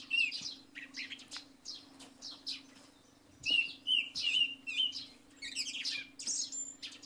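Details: Song thrush in full song early in the morning following night rain: a clear whistled phrase repeated four times in quick succession, amid other varied notes and chirping sparrows, over a low steady hum.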